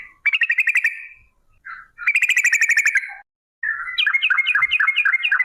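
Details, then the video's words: Sooty-headed bulbul 'gacor' song for drawing other bulbuls into song: three rapid trilled bursts of bright chirps, the last with rising and falling whistled notes, separated by short silences. "TRUCUK Gacor ROPEL PANJANG pancingan trucuk agar BUNYI"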